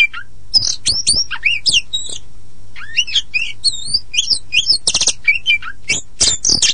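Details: Oriental magpie-robin of the black-and-white poci type singing a fast, varied song of high whistles, slurred upward sweeps and sharp chips, phrases tumbling without pause; played to coax silent magpie-robins into singing, with long ngeplong and ngerol phrases.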